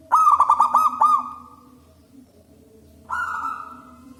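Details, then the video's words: Local wild zebra dove singing, loud and strong, a recording meant for luring doves: a quick stuttering run of about six clipped coos, then one drawn-out steady note, with a second long note after a short pause. "PERKUTUT LOKAL ALAM GACOR SUARA BESAR DAN LANTANG"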